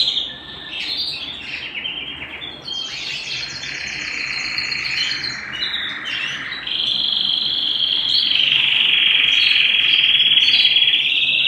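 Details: Domestic canary singing at home: long rolling trills that run almost without a break and get louder and steadier toward the end, with rapid repeated notes.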